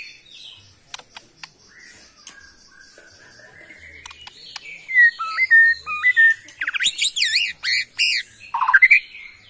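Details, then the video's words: Bornean white-rumped shama from the Kalimantan forest, starting with thin, scattered whistles, then swelling into louder looping, warbled phrases that rise and fall quickly. "AKSI murai batu BORNEO ori Hutan KALIMANTAN"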